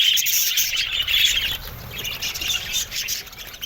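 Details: Budgerigars in an aviary colony giving a dense, continuous chatter of high, scratchy chirps and warbles from many birds at once, with no pauses and a steady level throughout.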